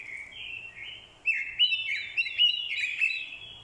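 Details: Captive orange-headed thrush delivering fighting song after hearing a female's call: moderate warbled phrases give way to a loud, tumbling stream of varied whistles and chattering notes.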